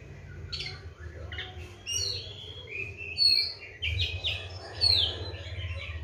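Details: Caged Oriental magpie-robin on a routine of seven crickets and morning and evening baths, giving scattered bright whistles and short slurred phrases with pauses between, over a low background rumble.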